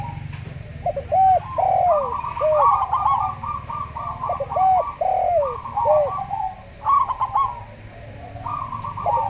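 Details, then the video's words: Local zebra dove singing slowly beside a calm Javan derkuku dove: a long run of evenly beaded, rattling coo notes steady in pitch, woven between looping, downward-sliding hooted coos, with low hum underneath. "Perkutut Lokal Suara Slow"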